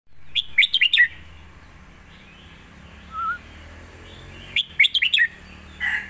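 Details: A competition red-whiskered bulbul gives its master song in two quick bursts of bright, bubbling, warbled phrases about four seconds apart, alternating with drawn-out notes, with a soft whistle between; the recording is meant for teaching young birds.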